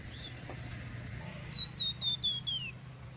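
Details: Flamboyan bird, whose chattering voice is used to lure other birds, giving a short run of about five clear whistled notes, each sliding downward, in quick succession after a quiet start with a low background hum.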